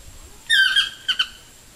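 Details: Toucan perched in a tree near a home, giving a single harsh, nasal squawk with a slightly falling tone, followed by two short clipped notes, against a quiet background.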